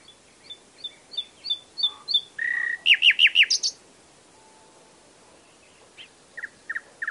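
A nightingale sings a varied phrase: a row of quick high chirps, a buzzy note, then a fast rattling burst of loud notes, with scattered short notes after a pause.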